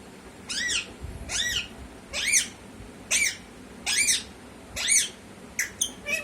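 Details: Parrot, presented as a talking bird, giving a series of about seven arched, nasal squawking calls spaced roughly a second apart, with faint room noise between them.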